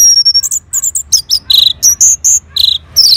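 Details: Orange-headed thrush in North Bali, Singaraja, answering a lure sound: a fast, dense run of sharp high whistled notes and slurred chirps, varied and nearly continuous, with no other clear sounds.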